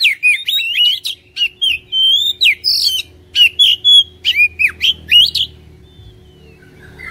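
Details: Oriental magpie-robin song played to coax a caged bird into singing: varied loud whistles, buzzy rasps and sharp chirps in rapid bursts about four per second, with a steady low hum beneath.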